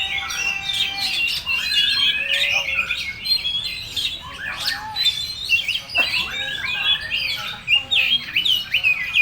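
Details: Oriental magpie-robin in a dense, varied song of rapid chirps, squawky notes and twittered phrases almost without pause, with a faint low steady tone beneath.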